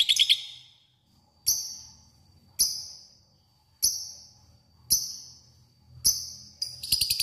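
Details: Lovebird uttering single harsh, high chips about once every second, tailing off after each, ending with a quick cluster of notes; a lure to call a rival bird.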